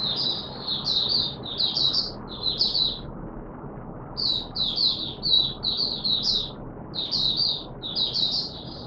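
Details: Caged oriental white-eye in wet weather, 'buka sing' song: repeated short clusters of high, tinkling, warbled notes in rhythmic groups with two brief pauses, somewhat softer against steady low background noise.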